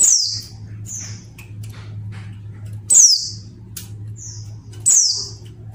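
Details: Mountain white-eye (Zosterops montanus), female call: female calling to provoke males into singing.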